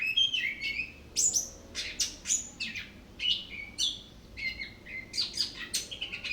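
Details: Orange-headed thrush singing nonstop and pouring out its repertoire: varied sharp whistles, clicks and slurred high notes delivered in rapid bursts about every half second, clear and loud with little background sound.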